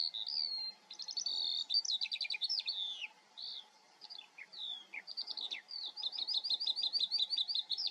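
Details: Eurasian skylark, Eifel, Germany, pouring out rapid stuttering trills and chirps, ending in a long run of quickly repeated notes, roughly three per second.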